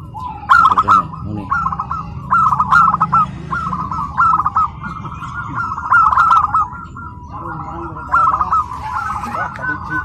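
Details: Zebra dove, a tame local wild-type bird kept at home, singing at a bird contest in Karawang, Indonesia; bubbling cooing phrases repeat in a steady run, with a low hum and occasional crowd noise behind.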